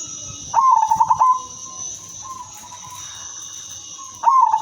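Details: Female silver-coloured zebra dove, used as a lure for other zebra doves, gives a melodious, rapidly pulsed cooing trill, then a second phrase begins near the end; a steady high hiss runs in the background.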